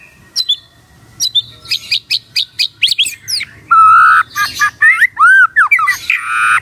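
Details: Morning magpie-robin song to prompt a quiet bird to answer: a fast run of sharp rising chips, then loud varied whistles, arched notes and buzzy bursts.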